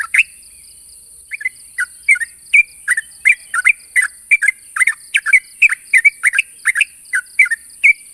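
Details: Sooty-headed bulbul challenging a rival: after a brief pause, a dense stream of liquid, warbling chirps in quick pairs runs steadily to the end, with constant shrill hiss behind.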